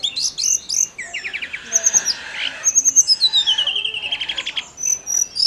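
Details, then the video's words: Snowy-browed flycatcher in sustained song, used to stimulate other songbirds. High chips and short trills give way to a long descending whistle that breaks into a fast, rolling trill, then thin high whistled notes. "KICAU TLEDEKAN GUNUNG GACOR"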